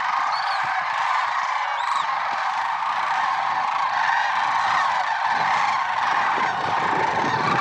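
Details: Lesser sandhill cranes calling en masse on a February 6, 2023 morning at Merced National Wildlife Refuge; continuous overlapping honks, a couple of thin high whistles early on, and low rumbling in the second half.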